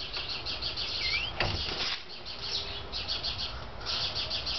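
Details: Hummingbirds and another bird species mob a cat that has caught a fledgling, raising a racket of rapid, high, dry chips that overlap continuously, with one swept note and a brief burst of rustling.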